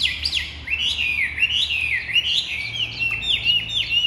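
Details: Chinese hwamei, a large ngũ trường-type cage bird from Vietnam with pure white wing feathers, singing a continuous rich string of looping whistled notes that rise and fall quickly, sweet and varied, over a quiet low hum.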